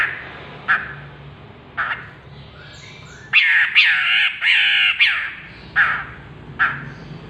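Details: Chestnut-capped laughingthrush giving harsh nasal squawking calls, single notes spaced about a second apart, then a tight burst of four loud grating calls before more spaced squawks.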